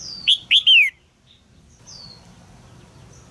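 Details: Caged female red-whiskered bulbul calling to spur a young male into song: a quick trio of bright chirps, the last slurred downward, followed by thin high whistles and quiet background.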